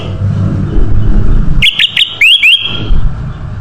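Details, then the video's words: Ruby-throated bulbul lure song: short whistled notes followed by two rising slurs, played over loud low-pitched rumbling background noise. "SUARA BURUNG KUTILANG EMAS UNTUK PANCINGAN DAN SUARA PIKAT"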